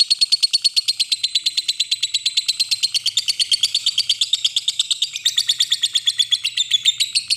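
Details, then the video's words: Lovebird ngekek, a long trill used as a lure to draw a rival into calling: a fast, continuous rattling chatter of evenly pulsed harsh notes, roughly seven per second, unbroken for the whole clip. "Pancingan Lovebird Terbaik Manggil Lawan, Lovebird Anda Pasti Cepat Respon Bunyi Dan Gacor"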